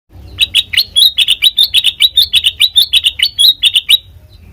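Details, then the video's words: Sooty-headed bulbul song used as a lure for training other birds: a fast run of about twenty short, bright chirping notes, each sliding up then down, repeated several times per second, with a faint low hum beneath. "Suara Burung Kutilang Mas Sanget Merdu,COCOK BUAT PANCINGAN MASTERAN"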